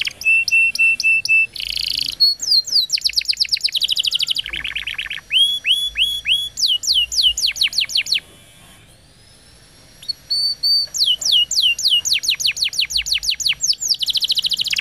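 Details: Tutor song for training young canaries and coaxing birds that have stopped singing: varied high tours of rapid downward-sweeping notes, rattling trills and clipped chips, with a brief pause midway before fast rolling sweeps resume.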